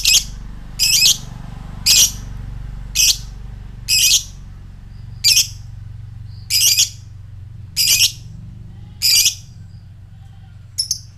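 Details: Fighter lovebird calling to provoke a ngekek response from other lovebirds: short, harsh, high-pitched bursts repeated roughly once a second over a faint low hum.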